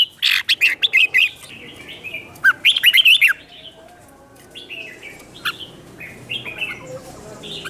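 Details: Red-whiskered bulbul song used to provoke other birds into competitive singing: two bursts of rapid, bright warbled notes with rising and falling slurs around 0–1.3 and 2.5–3.3 seconds, then softer chatter by several birds.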